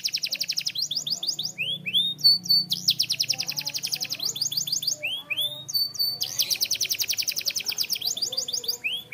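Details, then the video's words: Singing canary in a training recording: long rapid rolls of high, buzzy trills alternate with short bursts of downward-slurred whistles, the phrases repeating across the whole stretch with a faint low hum underneath. "Super Active Canary Singing Makes Your Canary Sound"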